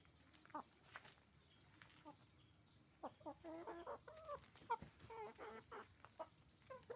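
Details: Roosters and hens at a chicken farm making noise; irregular short clucks and squawks, quickening to a busy run of overlapping calls in the second half, with steady low farm background hum.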